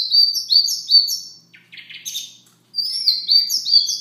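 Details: Siberian rubythroat singing softly in the morning: a fast varied phrase of sweet, high whistled and slurred notes, a short buzzy break, then another rapid warbling run of bright notes.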